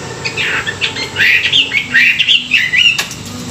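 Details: Chinese hwamei in morning song for training; a steady stream of rich, rolling whistled phrases rising and falling, interspersed with quick twittering notes, close and clear above a faint low hum.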